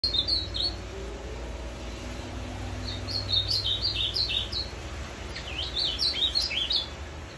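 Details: Ultramarine grosbeak singing the azulão macaco song style on 23 December 2020: rapid series of clear, slurred whistled notes, falling and rising, repeated about three times per second in two bursts, with a faint low hum underneath.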